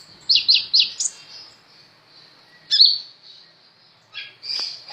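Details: Sunbird of the 'ninja' type, in a recording made to tutor other songbirds, giving three quick high chirps, then a pause, a sharp sliding squeak, and a short high twitter.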